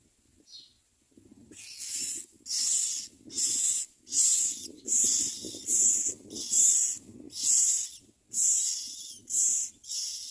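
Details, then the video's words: Common myna chicks at the nest calling to their mother with harsh, hissing rasps in a steady run, about one every second, with a faint low rumble underneath. "Common myna Baby Birds Screaming Mother at Nest"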